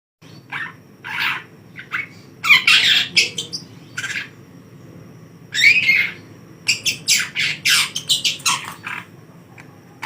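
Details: A young long-tailed shrike, teased with a hand, gives harsh, scratchy bursts, some short and some drawn out, in irregular runs, recorded close up in a quiet room.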